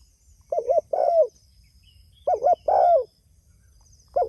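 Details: Spotted dove calling others with mellow cooing: a quick double coo and a drawn-out descending coo, given twice and starting a third time; faint high tone behind.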